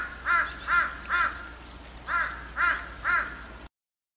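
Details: A crow flock of hundreds perched on utility poles in a village neighbourhood and wheeling as one in the sky; harsh, hoarse caws in two sets of three, each short and rasping, about half a second apart, over faint hiss.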